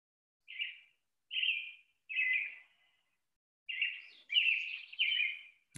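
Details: A Pine Siskin in winter gives a loose series of high, buzzy notes. The last few run together into a longer, rising, zipper-like buzz against a quiet background.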